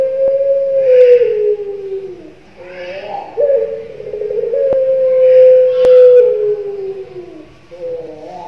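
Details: A young, ringed Barbary dove of the pelung type gives long, smooth, drawn-out coos, each about two seconds and sagging slightly in pitch, repeated back to back, with faint hiss behind.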